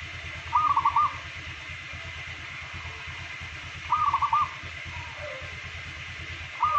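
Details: Local zebra dove, a daily singer kept as a songbird; a rolling, bubbling cooing phrase repeated about every three and a half seconds, over steady background hum.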